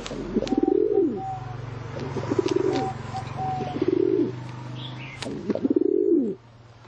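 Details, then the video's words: Pigeon giving deep, rolling coos in four spaced bursts, each arching up then falling, over a loud continuous low drone and faint clicks. "เสียง นกพิราบ"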